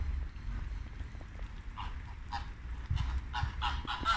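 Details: Flamingos on a late Thursday afternoon, low rumbling background at first, then a burst of short nasal honks in quick irregular succession building toward the end.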